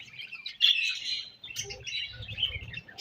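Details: Pet budgerigars chirping while eating, a dense burst of high warbled chirps and squeaky notes with a brief pause midway, plus soft low rustling beneath.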